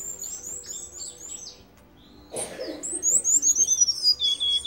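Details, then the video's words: Cuban bullfinch in a cage, perched on a hand, sings high, thin chirps, then after a brief handling rustle gives a clear run of sweet whistled notes that step steadily downward in pitch. "Negrito EL MEJOR DE CUBA CANTANDO CON LA MANO"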